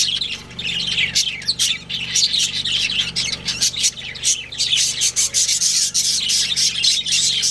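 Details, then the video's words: Budgerigars from a breeding pair chattering continuously: overlapping high warbled chirps and short squawks with little pause, over a low background hum. "Adorable Budgies Chirping Sounds"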